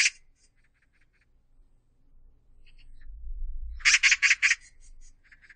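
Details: An Oriental magpie, recorded in 2020, gives a harsh, rasping chatter: a single scratchy note, then a quick run of four grating bursts, over a low rumble.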